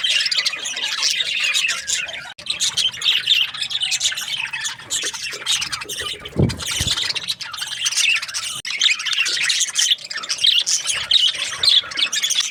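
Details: Budgies chirping together: a dense, continuous mass of high, scratchy chirps and squawks overlapping throughout, with one brief low thump partway through.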